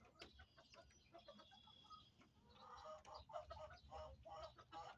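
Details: Backyard hens clucking softly while eating in their coop, low murmured clucks repeated rapidly and unevenly, blending with pecking and scratching noises and a faint background hum.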